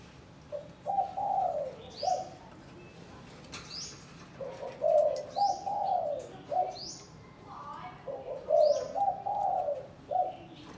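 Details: A caged spotted dove in Cần Thơ, being paired for breeding after days in a cage hung beside its prospective mate, gives soft, hollow three- or four-note cooing phrases, with thin high chirps from other birds between them.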